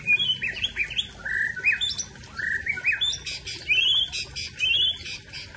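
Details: White-rumped shama of the Aceh type pouring out its mimicked fill-in song: quick rising whistles, sweeping slurs and sharp buzzy notes in a fast, varied run.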